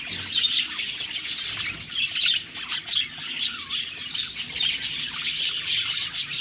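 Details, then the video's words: Steady budgie chatter: countless overlapping high chirps, squeaks and short warbled notes form an unbroken, busy chorus with small swells in loudness. "Budgies Birds talking sound Birds chirping sounds"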